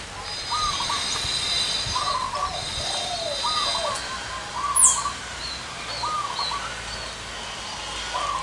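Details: Wild zebra doves gathered at one site, birds with big and small voices, singing: short rippling cooing phrases, paired higher and lower, repeated through the clip over steady outdoor hiss, with a brief high chirp midway.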